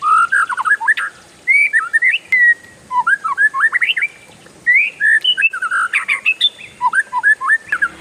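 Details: Long, busy roll of an oriental magpie-robin, with jumbled rapid whistles and sharp up-and-down slurs packed closely together, over a faint constant high-pitched hiss.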